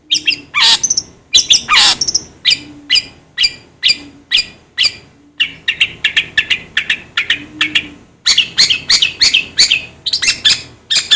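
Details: Long-tailed shrike calls intended to excite other shrikes: a long, steady chatter of sharp, scratchy high notes, with a faint low tone sounding periodically underneath.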